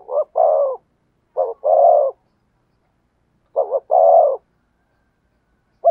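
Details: Spotted dove cooing in the thổ sấm song style, with three phrases spaced about two seconds apart. Each is a quick double note followed by a long, throaty, vibrating coo, against a silent background.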